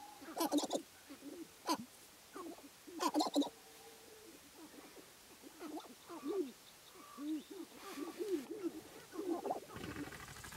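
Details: Sharp-tailed Grouse males competing for dancing areas at a spring lek, Namekagon Barrens, Wisconsin: loud crackling rattle bursts early, then a steady chorus of low, arched cooing and clucking notes from several birds.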